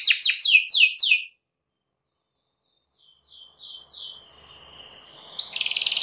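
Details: Canary singing to draw a rival into song: a few fast descending trilled notes, a long pause, then softer warbled phrases over faint background noise, ending in a quick rattling trill.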